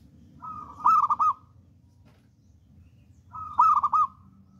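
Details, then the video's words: Bold local zebra dove singing steadily, kept as a tutor and decoy bird. Two matching phrases: a smooth coo opening into a loud, bubbling, stuttered trill, separated by a short pause. "PERKUTUT LOKAL ALAM GACOR"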